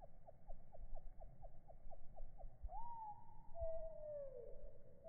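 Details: Birdsong recorded on an iPhone and slowed far down, which the owner thinks is mainly a Eurasian wren. About ten low, hollow notes come at four per second, then a rising whistle slides into a long falling slur, over a low rumble.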